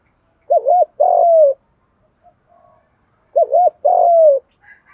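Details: Spotted dove kept as a decoy for trapping, 'thổ pha' voice: two deep coo phrases. A wavering double note comes first, then a long, gently falling coo. Brief faint sounds fill the gap between them.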